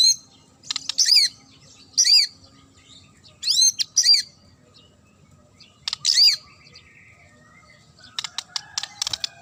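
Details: Sharp murai song aimed at provoking other birds: high, rasping, downward-curving chirps repeated about every one to two seconds, ending in a rapid series of clicks.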